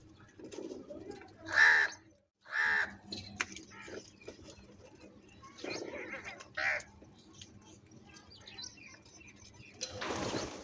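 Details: During a fight over food, a crow's rough caws come in an uneven series: two close together, then more spaced out, with soft chatter of small birds and a burst of noise at the end.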